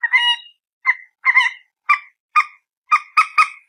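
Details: Mandar batu, or common moorhen, captured on a handphone: one drawn-out harsh squawk followed by a string of shorter clipped croaking notes that quicken toward the end, some in quick pairs and triplets.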